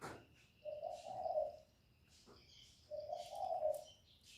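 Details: Spotted dove cooing as a lure bird to draw wild doves for trapping: two drawn-out, even, low coo phrases about two seconds apart, with faint high chirps of other birds behind.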